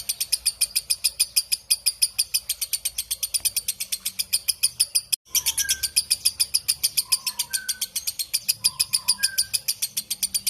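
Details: Long 'ngekek' chattering of a lovebird, recorded clearly as tutor material for competition songbirds: rapid rasping notes repeated steadily, briefly broken by a short gap midway, with faint lower whistles scattered in the background.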